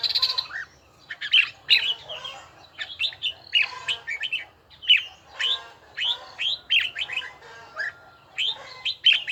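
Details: Bell-toned song of a red-whiskered bulbul in voice training: a steady series of short, bright, slurred whistles and chirps, grouped in quick pairs and triplets throughout.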